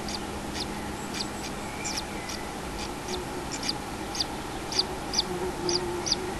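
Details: A common kingfisher at its nest in the afternoon of 6 July 2016, where there is a chick said to be one day old, gives short, sharp, high notes about two to three a second, growing louder toward the end over a steady low hum.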